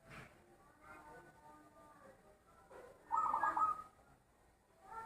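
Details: Loud-voiced zebra dove giving one short, rapid burst of trilled, pulsing coos midway, over soft background murmuring.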